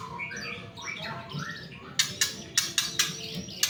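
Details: White-rumped shama song played as a lure to get other shamas singing quickly: a run of varied rising and falling whistled notes, then sharp clicking, tapping sounds repeated several times.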